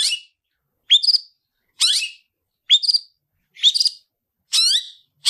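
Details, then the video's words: Long-tailed shrike fighting song used for training other birds: sharp, buzzy rising-and-falling phrases with harsh overtones, repeated about once a second with clean gaps. "Tarung ngalas Gacoran cendet"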